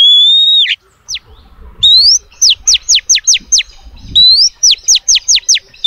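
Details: Lure of a female oriental magpie-robin calling males: a long rising whistle that drops away, then two bursts, each a rising whistle followed by six fast falling sweeps, with light rustling below.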